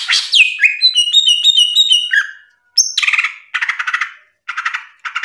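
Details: Ngeplong gacor song of a cucak ijo used as a master tutor recording: a falling whistle, then crisp, evenly spaced high whistled notes, followed by bursts of rich, chattering phrases separated by short pauses.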